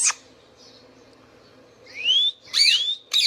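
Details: Captive Indian ringneck parakeet: an abrupt harsh squawk, a pause, then a long clear rising whistle merging into loud grating screeches, with a final short squawk.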